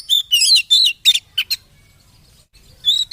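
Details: Oriental magpie-robin singing, played as a lure to excite caged birds into song: a few bright whistled and trilled bursts in the first second and a half, a pause, then another short whistled phrase.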